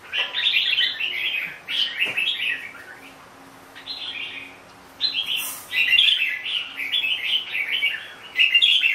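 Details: Red-whiskered bulbul producing lively warbled whistles, dense phrases at the start and end with a quieter gap between, plus a sudden brief hiss-like burst in the middle.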